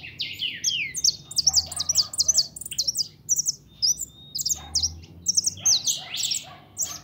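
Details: Goldfinch kept as a 'pintón' bird delivering a busy, continuous song of sharp tinkling notes, quick trills and descending buzzy phrases, with a faint low hum underneath.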